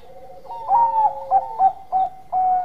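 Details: Zebra dove of the Bangkok strain cooing energetically to lure other doves into song, giving rhythmic rounded coo notes about every quarter second, ending in a sustained coo, with a second dove's steadier tone underneath.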